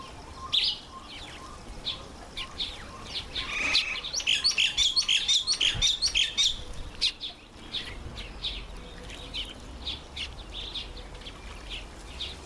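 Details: A Red-faced mousebird on its first visit to a birdbath gives thin, high chirps about twice a second, rising midway into a quick chattering burst of sharp notes, with soft fluttering.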